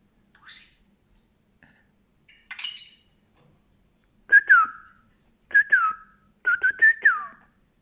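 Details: A talking budgerigar chatters in quick, squeaky bursts, with Greek speech-like phrases and little falling whistles.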